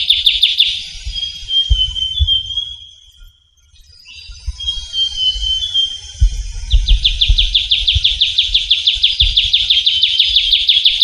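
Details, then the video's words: A trilling shrike-babbler (Pteruthius aenobarbus) sings in the wild in a Javan forest, giving high, dry, rapid trills and a thin level whistle, ending in a long even rattle over low wind rumble. "Suara Burung Ciu Kunyit (Trilling Shrike-Babbler)"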